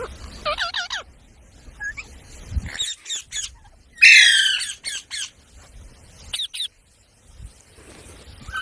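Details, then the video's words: Parrot known for mimicking human speech: a few swooping harmonic syllables, then one loud rasping squawk, then sparse short clipped calls separated by silence. "Talking parrot video| Parrot sounds videos Compilation | mitthu mitthu | parrot voice"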